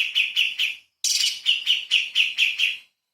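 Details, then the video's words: Light-vented bulbul 'tembakan' song recorded to train magpie-robins. Two runs of rapid, evenly spaced bright notes, about four and then eight, with a short break between. "CUCAK CUNGKOK SUPER GACOR ! Full Isian TEMBAKAN ISTIMEWA BURUNG KECIL"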